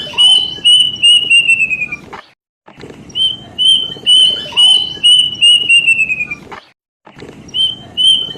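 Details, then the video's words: Plaintive cuckoo lure recording used to make birds sing actively. Loud, clear whistled notes repeat in quick series and slide slightly downward at the end of each run. Runs are separated by abrupt gaps, with faint higher chirps mixed in. "suara pancingan burung kedasih biar gacor"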